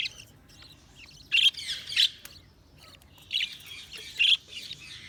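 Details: Budgies giving squawky chirps in two loud pairs with gaps of soft chatter between them.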